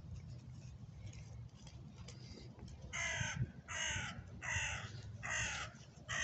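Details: A crow cawing in January, its calls described as a song. Faint, distant caws come first, then four loud, harsh, grating caws follow at intervals of under a second, over a steady low rumble.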